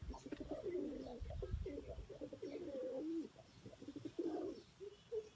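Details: Domestic white pigeons kept by their owners give soft, low murmuring coos in a rolling, uneven series that fades briefly, then returns in short phrases.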